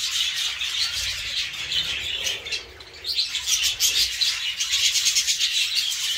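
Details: Jumbo and crested budgerigars in a breeding aviary around feeding time; a busy flock fills the air with rapid high twittering and scratchy chirps, dipping briefly near the middle before swelling again.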